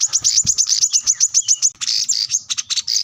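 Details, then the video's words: Plain-throated sunbird song while seeking a rival: dense, fast, high chipping notes repeated without pause, becoming buzzier and more blurred in the second half. "kolibri kelapa | wiceh | manggar | korlap gacor mencari lawan"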